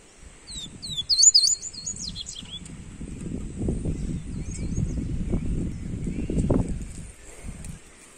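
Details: Warm-up song of a Double-collared seedeater: quick high, slurred notes in the first two seconds, then mostly low rumbling noise with a few faint chirps.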